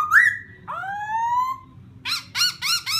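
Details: Laughingthrush used to excite a newly captured wild bird: a rising whistle, a long drawn-out upward slur, then three bursts of harsh chattering.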